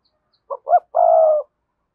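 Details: One spotted dove phrase from a cườm sa bird: two quick soft notes rising into a single long, steady, mellow coo, with silence around it.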